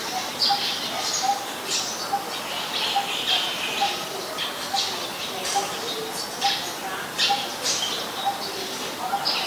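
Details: Eurasian tree sparrow (Passer montanus) chirping in Ubon Ratchathani, Thailand on 10 May 2020: sharp high notes in uneven clusters, accompanied by a regularly repeated lower mellow note throughout.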